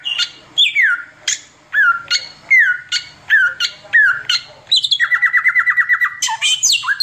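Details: Oriental magpie-robin delivering nonstop 'tembakan' song, a recording used as a tutor for other birds: a series of sharp descending whistles, then a fast rattling trill of rapidly repeated notes near the end.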